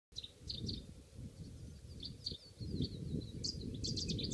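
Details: Cetti's warblers displaying during spring migration in Lesvos, Greece, in 2015, giving sharp, high, clipped notes in quick, uneven bursts over a steady low rumble of wind or background noise.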